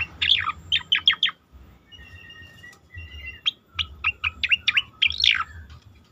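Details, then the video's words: Asian pied starling singing, used as a training recording for competition birds: rapid bursts of sharp, chirpy notes, then steady, level whistled tones, then another quick run of varied chirps and squeaks. "khas cica koreng suara shahduh sangat bagus untuk masteran burung lomba"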